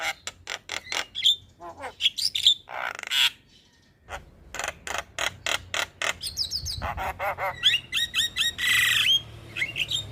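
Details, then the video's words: Javan myna singing actively in the morning, a masteran and pancingan recording. Bursts of harsh, buzzy broadband notes mix with sharp repeated clicks and short whistled slurs, with a brief quiet gap near the middle, then dense chattering and whistles. "Jalak kebo gacor Masteran dan pancingan Burung Jalak Pagi Hari - Panggilan Jalak Kebo"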